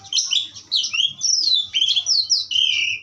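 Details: Fluent whistled song of an Asian pied starling, given as a strong tutor recording: a nonstop chain of bright sliding whistles, rising and falling, with a few chattery notes, over a faint low hum.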